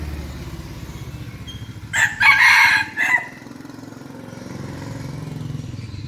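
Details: Seven-month-old red junglefowl rooster kept as a decoy bird, giving one loud hoarse crow of about a second, broken into short bursts, over a steady low engine-like hum that runs through the whole recording.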